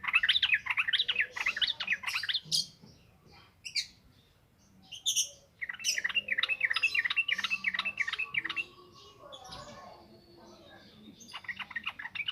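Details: Ngropel ngalas song from yellow-vented bulbul, a continuous wild style, meant as a lure for training untamed birds. Two long runs of quick warbled notes separated by a few loud chirps, ending with a thin sustained whistle.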